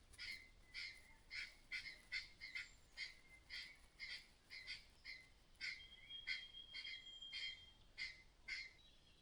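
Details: A mother bird rattles out clattering alarm notes, acting strangely as though danger were close. The harsh, scratchy bursts come in an uneven run, nearly two each second, and a thin high whistle runs beneath the middle stretch.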